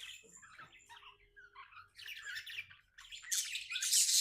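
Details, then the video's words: Happy pet budgerigar warbling continuously indoors, a rambling stream of buzzy, twittering notes that grows louder and harsher toward the end, with a thin steady whistle early on. "Happy budgie chirping sounds"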